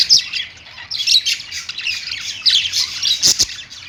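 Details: Pet budgerigars singing on a perch: a continuous, busy warble of chattering squawks and chirps, high and scratchy, with no pause over four seconds.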